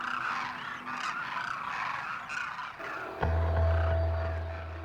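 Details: In winter, a large flock of migrating Demoiselle cranes, which come from Mongolia and northeast China to India, flies in one morning to a desert water hole calling loudly to announce its arrival: a dense, overlapping chorus of rolling, croaking calls, then a deep musical drone.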